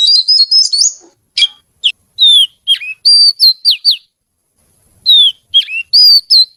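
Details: Oriental magpie-robin, a pet kacer, singing a rapid warble then spaced, sharply slurred whistled notes, a short pause, and more clear whistles.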